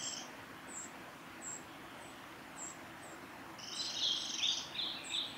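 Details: A young Eurasian wren on the Tanzawa Mizusawa forest road, Japan, 22 May 2016, gives thin, very high ticks about once a second, then a brief harsh, buzzy chatter over faint forest hiss.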